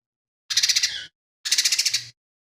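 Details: Lesser green leafbird singing, its song filled with imitations of fighting sparrows, kingfisher and cililin. Two similar half-second bursts of fast buzzy rattle are separated by a brief pause.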